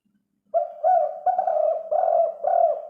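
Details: Spotted dove giving its prized five-note coo, used as a lure for other doves and for decoy birds: five deep, hollow, evenly pitched coos in quick succession, the first short and the rest longer, over a quiet background.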